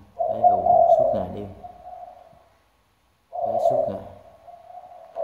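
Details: Spotted dove decoy bird, famed for a deep 'thunder-bronze' voice; low cooing overlaps a person talking, the coo trailing on evenly, then after a silence a second coo with speech over its start.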